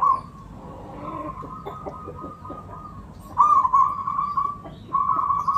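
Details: Local Javanese zebra dove song, used as a lure to set other birds singing. A steady mid-pitched coo begins with soft pulsed notes, then breaks into two louder rippling, trilled phrases near the end.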